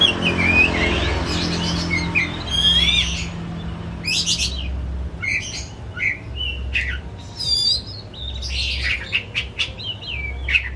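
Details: Caged pet white-rumped shama in an excited singing bout: sharp whistles, harsh rasping notes and quick ringing trills in irregular phrases, with a low background hum.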